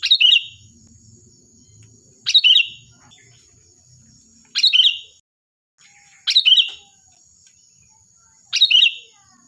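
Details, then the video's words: Sooty-headed bulbul in lively, loud, shrill song used to tutor other birds: five short, emphatic warbled bursts about two seconds apart, with faint low murmuring early on and a constant high background hiss. "Suara burung Kutilang Gacor || Nyaring dan keras cocok untuk masteran"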